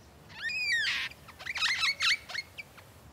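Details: A lyrebird in fire-affected Australian bush gives a quick medley of borrowed sounds: a rich, stepped run of ringing notes, a harsh rasp, then a string of sharp swooping whistles. This is vocal mimicry, mainly of other bird species.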